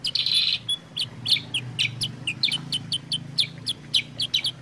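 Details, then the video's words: Sooty-headed bulbul (kutilang sutra) recording for prompting and training birds to sing: one opening buzzy burst, then a rapid run of sharp, bright chirps roughly three per second above a low hum. "pancingan suara kutilang sutra gacor jernih"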